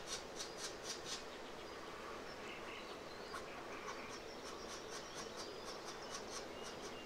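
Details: A European green woodpecker nestling in a tree cavity begs for food with harsh, rasping squawks, about four per second in bursts, over hiss and low hum; late April, left bank of the Warta near the Różany Potok mouth, Poznań-Naramowice.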